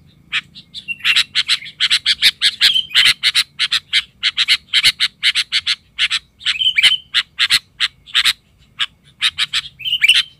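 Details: A Sooty-headed Bulbul decoy, furious and calling at wild bulbuls, produces a dense, continuous barrage of harsh, rasping chirps with hardly a break over ten seconds.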